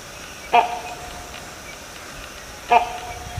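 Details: Two loud, nasal, barking honks from a great hornbill, about two seconds apart, each short and harsh, with a faint steady hiss between them.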